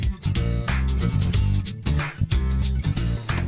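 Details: Funky music with a strong bass guitar line and plucked strings, with no animal sound.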